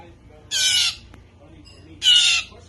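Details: A rescued baby Blue Jay being hand-raised indoors gives two harsh, raspy screeches, each under half a second and about a second and a half apart, apparently begging for a Cheez-It snack.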